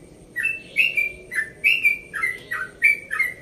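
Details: Yellow-vented bulbul, 1.5 years old, from Bekasi, singing its rapid 'ropel' song at dawn in a relaxed tone: clear whistled notes that slur up and down near one pitch, repeated roughly every third of a second, over a faint low hum.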